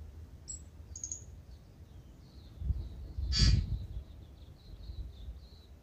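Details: Tūī waking up before sunrise in Manawatū, New Zealand: thin high whistles, then one loud harsh buzzy note with stacked tones midway, followed by soft high twitters over low background rumble.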